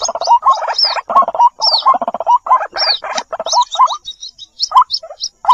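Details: White-breasted waterhen lure call with chick calls: a dense, rattling, throaty chorus of repeated mid-pitched notes, broken by brief pauses, with occasional high downslurred whistles over the top.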